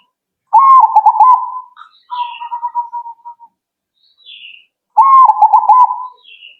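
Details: Zebra dove responding right away: two loud stuttering coo phrases, each followed by a softer rolling trill, with brief high-pitched chirps from other birds.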